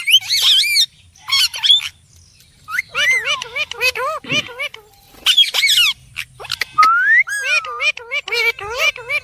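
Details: Parrot vocalizing in lively bursts of wobbling warbles, squeaks and squawks, including a clear rising-then-falling whistle, with short silences between phrases.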